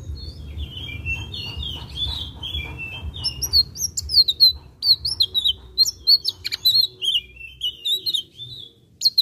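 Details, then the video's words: Blue-eared kingfisher singing steadily: thin, high, sharp chirps and short descending whistles, sparse at first, then a dense rapid chattering run from about three seconds on, with a low steady hum underneath. "tledekan biru gacor"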